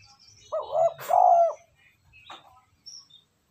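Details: ['Spotted dove, a lure recording for stimulating wild birds and training decoys: one low two-part coo, a short note followed by a louder drawn-out hoot, then brief clicks and faint high calls.']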